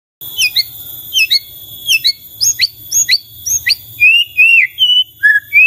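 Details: White-rumped shama song used to draw replies from other shamas: sharp high whistled notes in quick succession, then softer lower warbled whistles, over a steady high hum.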